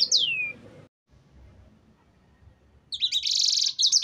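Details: Canary song used as a lure to get other birds singing: a steep whistled downslide opens, then a pause, then a dense buzzy high trill with quick sweeping notes. Faint low background hum throughout.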